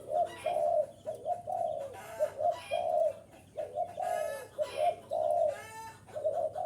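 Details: Spotted dove sounding for luring wild birds: repeated soft, throaty cooing phrases of two to three notes each, coming in a steady rhythm, broken by a few short rasping chirps and rustles.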